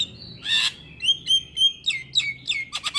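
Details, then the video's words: Javan myna song on a training recording for mynas, played in the morning: clear whistled notes mixed with harsh grating bursts, speeding into a rapid series of downslurred chips and scratchy notes. "Masteran Burung Jalak Kebo Wajib Putar Setiap Pagi Bikin Jalak Cepat gacor"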